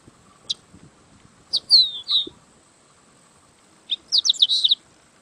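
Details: Yellow-winged blackbird: a single high tick, a pair of slurred descending whistles, then a fast cluster of sharp chirps and a short buzzy phrase, set against a steady faint high hiss.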